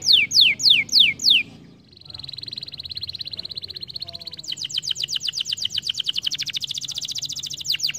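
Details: Stimulating song of a canary: a few loud sweeping notes open, then a thin, rapid buzzy trill, then a rolling tour of quick repeated descending whistles at a high pitch.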